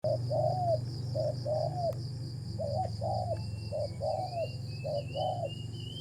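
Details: Spotted dove cooing during a decoy-trapping session: low two-part coos repeated in quick pairs, each ending in a falling slur, over a steady high insect drone and low rumble, with thin rising whistles from other birds.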